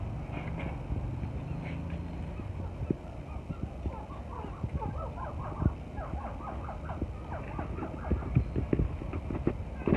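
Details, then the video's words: Chukar partridge chicks on a farm: many short, high peeping notes in quick overlapping bursts, growing busier midway, over a steady low rumble and occasional knocks. "چکور کے بچے Chakor chick"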